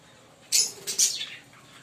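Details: Green Fischer's lovebird pair, two sharp, piercing high chirps about half a second apart, the second trailing off.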